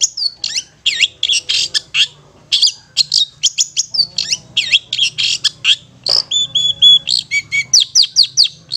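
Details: Long-tailed shrike singing a long ngetet-style sequence used to stimulate stressed or mute shrikes: dense run of harsh, high chattering notes, brief pauses, then clear whistled tones and a rapid string of sharp chips.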